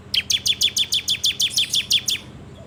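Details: Bar-winged prinia lure song in the 'ngebrem' style, captured with an Android phone: an even series of eleven high, downslurred chip notes, roughly five per second, ending abruptly.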